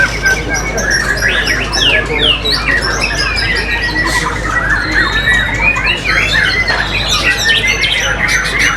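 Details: White-rumped shama (Copsychus malabaricus) singing a very loud, powerful song of rich varied whistles, chatters and harsh squawks, densely packed and overlapping other bird calls.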